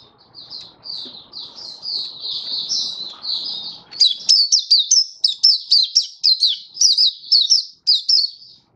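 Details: Oriental white-eye kept as a caged songbird, singing a lively display: a soft high warbling ramble over low background murmur, then loud sharp downslurred chips repeated roughly twice a second to the end.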